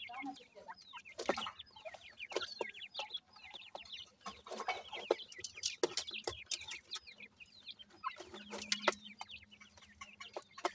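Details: Feeding grey francolin chicks give dense, overlapping thin peeping calls, with bursts of loud clicking and knocking around the first, fifth and ninth seconds and a steady low drone.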